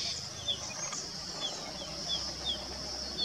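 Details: Male crested bunting calling in a series of short, high, downward-sliding chirps, repeated about every half second against a constant shrill insect hum.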